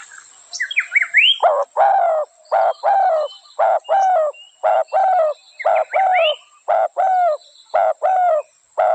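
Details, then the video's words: Spotted dove calling in a steady run of about a dozen low, throaty, slightly falling coos, evenly spaced roughly half a second apart. Higher chirping notes from another bird open the recording and return briefly midway. "Spotted dove sound original"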